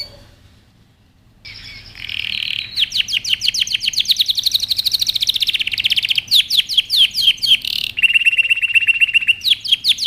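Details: Canary song meant for training young birds: after a quiet opening and a soft buzzy phrase, fast rolling trills of sweeping notes run in changing tours, ending with a steady whistled roll and brighter trills.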